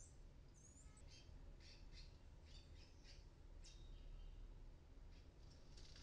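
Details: Young palm tanagers on their first flights from a 9th-floor apartment in Medellín, Colombia, where they hatched in an oregano plant, give thin, high chips and short squeaky notes, one or two a second, over low background rumble.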